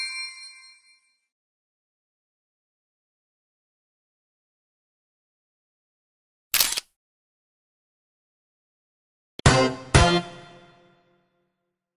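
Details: A ringing bell-like ding fades out, followed after a long silence by a sharp knock and a pair of metallic clangs; no animal voice.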